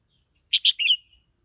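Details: Red-whiskered bulbul song phrase: two quick clear whistled notes, then a longer warbling note that trails off, all within half a second, clean and isolated.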